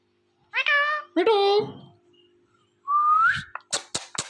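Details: Pet ringneck parrot speaking toward a phone: two nasal speech-like syllables, a pause, one rising whistle, then a few sharp clicks.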